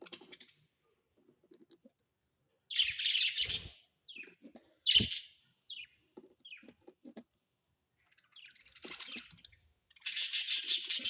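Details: Budgies kept at home: scattered buzzy chirps and short grating bursts separated by gaps, with a loud harsh run of rapid pulses at the end.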